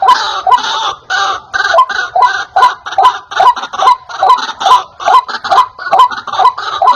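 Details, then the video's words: Loud lure recording of a white-breasted waterhen for attracting wild birds: evenly spaced, raucous croaks with noisy, rasping bursts, repeated at about two per second in a strong, regular rhythm. "Suara asli ruak-ruak||pikat wak-wak"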